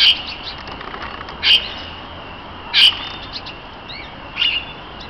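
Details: Various parakeets in an aviary at the Neues Kranzler Eck in Berlin, showing social behaviour. Short, bright chirping calls come in bursts spaced a second or more apart, over a steady background hum.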